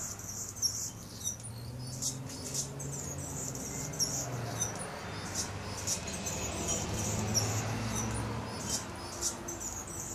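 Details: Hummingbird perched near garden feeders and singing on guard: a series of tiny, high-pitched squeaks and sharp ticks, irregularly repeated, over steady low rumbling background noise.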